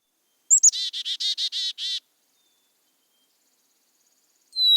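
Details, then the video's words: Black-capped Chickadee giving its chick-a-dee call: two thin, high introductory notes, then about six quick, buzzy, hoarse 'dee' notes in a steady row. "And chickadees say their name, chickadee dee dee, chickadee dee dee."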